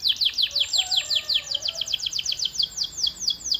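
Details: Active canary in full song, a fast run of high, down-sweeping whistled notes, about five per second, steady and clear with a faint background hum.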